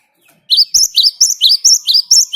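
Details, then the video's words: Sharp, high paired chirps of a Great tit follow one another briskly, about eight in quick succession, a gacor rolling song used as a lure for other songbirds. "Ngalas Ngerol Burung Gelatik Batu Gacor buat Pancingan"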